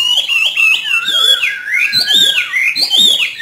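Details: Hwamei from northern Vietnam, trained to sing freely in the hót thả style: rich, loud whistled phrases that slur up and down, with quick rising and falling notes flowing almost without a break.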